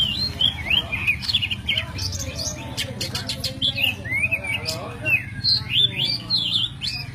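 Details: Oriental magpie-robin of the white-breasted form called Kacer Poci, a master recording for training songbirds with forest filler. Rapid high whistled notes, rising and falling slurs and sharp chirps pour out continuously over a steady low hum.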